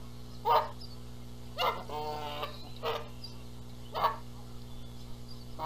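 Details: Nesting Canada geese in Charlo, Montana, in April, disputing who gets to sit on the eggs while the gander adds noise: loud harsh honks roughly every second, with one wavering drawn-out harmonic call in the middle.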